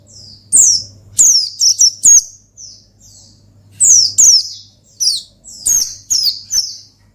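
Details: Oriental white-eye (pleci) singing in an energetic 'ngalas' style used to call and provoke a rival: high, sharp descending whistled notes in quick bursts of two to four, with pauses between bursts and a faint low hum behind.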